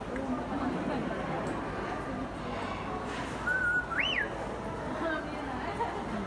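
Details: Captive Grey parrot at Kakegawa Kachoen, a bird park in Japan, imitating the Japanese bush warbler's hoo-hokekyo song: a steady whistled note, then a quick rising-and-falling whistled flourish, over a constant murmur of background crowd noise.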